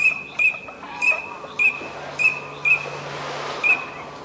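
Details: Eurasian teal during courtship displays in a wetland at Aiguamolls de l'Empordà Natural Park, Spain, on 25 December: short, clear, high whistled calls repeated about every half second, seven in all, over a low steady hum.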